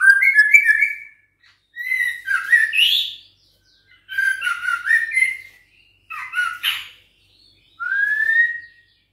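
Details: Six-week-old juvenile White-rumped shama of Bahorok lineage, caged and set against a rival in training, sings short bursts of varied warbled and whistled phrases, mostly mid-pitched, separated by brief pauses.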